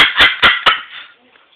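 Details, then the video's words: A 5-year-old Moluccan cockatoo who loves to laugh gives a harsh, raspy laugh of four quick 'ha' bursts about a fifth of a second apart, trailing off into a softer breathy fade. "Cockatoo laughing"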